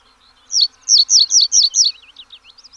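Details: Pallas's bunting singing: a quick run of six high, loud, downward-slurred notes, then softer trailing chirps fading away.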